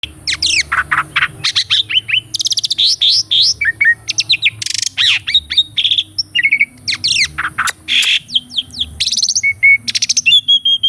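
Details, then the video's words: Caged Asian pied starling singing a varied master song meant to prompt a silent starling: rapid whistles, falling slurs, harsh buzzy bursts and clicks in quick succession, with rolling trills and pumping phrases. "KICAUAN BURUNG JALAK SUREN UNTUK MASTERAN JALAK MACET DENGAN SUARA YANG MERDU INI..!!"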